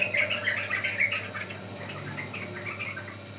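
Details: Sooty-headed bulbul song used to lure or train birds: a quick run of bubbly, chirping notes at mid-high pitch, strongest in the first second, then fading into softer scattered chirps over a low steady hum.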